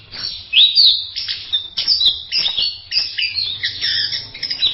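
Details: High, jumbled warbling of an orange-headed thrush in masteran style, with a sweeping whistled note early on and dense twittering over a low, steady background hum.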